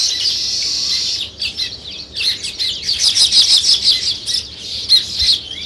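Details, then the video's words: Sparrows chirp in a fast, jumbled chatter of short high notes, with the flock's volume rising and falling in uneven pulses. "Sparrow Chirping"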